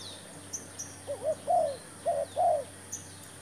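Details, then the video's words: Spotted dove calling as a trapping decoy: two phrases of low arched coos, a short note followed by a longer drawn-out one, over a faint hum with scattered high chirps of small birds. "MEMIKAT TERKUKUR"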